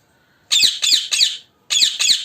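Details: Colony of African ringnecks: five loud, grating squawks, three close together, a short pause, then two more, harsh and screechy.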